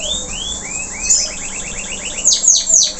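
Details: Singing local canary after its moult: a few upward-curving whistles lead into a fast, even series of rounded repeated notes, ending with three loud sharp notes falling steeply from very high pitch.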